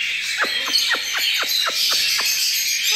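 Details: Cockatiel chicks recently out of the nest, being hand-fed formula three times a day: a series of quick descending chirps, roughly four per second, over a steady raspy hiss, with a woman speaking softly nearby.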